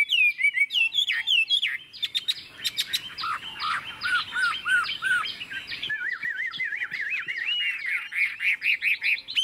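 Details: Chinese hwamei, a kept bird, singing a long 'ngũ trường' style song with a forest-type voice: rich, varied whistled phrases, loud slurred notes and rapid trills that dip lower midway, then bouncy looping whistles near the end.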